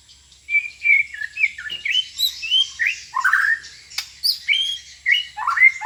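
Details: Magpie-robin singing: a lively run of clear, varied whistled phrases, rising and falling slurs and chirps at a high pitch, delivered in rapid bursts about every half second with brief clicks.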